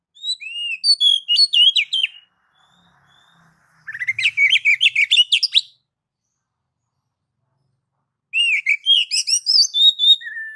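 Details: Ngeplong-style song of the oriental magpie-robin (kacer), a master for getting kacer to sing: three bursts of rich whistling, the middle one a fast, rattling string of rising notes, the others looping, sweet whistles.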